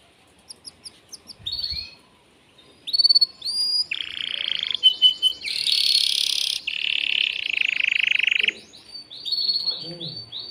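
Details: Excited caged male canary singing to stimulate a female for mating, as if trying to break its cage: rapid high trills, rolling buzzy notes and sustained bright tours rising and falling, with short pauses between phrases.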